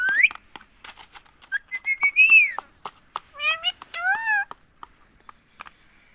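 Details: Pet green ring-necked parakeet in India speaking "mummy" again and again: a rising whistle, a slurred higher whistled phrase, then two harsh nasal spoken syllables, with faint clicks in a quiet room.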